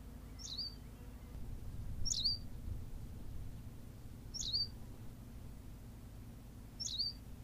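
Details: Berthelot's pipit from La Gomera, Canary Islands: four bright, high chirps spaced roughly one and a half to two and a half seconds apart, each a quick downward-flicking note, against low background hum.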